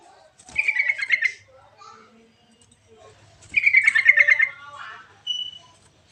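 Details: Two bubbly, warbling phrases from a sooty-headed bulbul, each a quick run of liquid notes about a second long, separated by soft chirps, ending with a short thin whistle.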